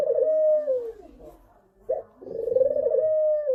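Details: Low, hoarse, sliding coos of a spotted dove in the thổ pháp style, sung to provoke young birds, males and females; two long phrases broken by a short abrupt note in a quiet room.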